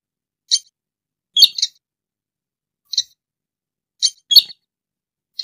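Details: Sintar rail calls played as a trapping lure: brief high clipped chirps, some doubled into a quick two-note burst, separated by pauses of about a second, with no other sounds.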